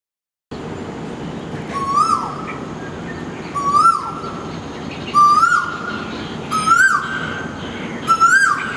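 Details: Asian koel, a seasonal visitor calling just outside a bedroom window before dawn: five loud, rising, whistled two-part notes spaced roughly every one and a half seconds, each a little higher and sharper than the last, over steady background hiss.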